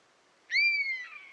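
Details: One long buzzard mew from this bird of prey in natural surroundings: a clean whistled note that rises at the start, holds and slowly descends, fading into a rougher trailing edge. Soft hiss behind it.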